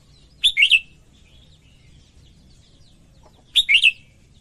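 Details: Female red-whiskered bulbul singing to stimulate males: two short bright whistled phrases of three quick slurred notes each, the phrases about three seconds apart, with faint softer chirps between them.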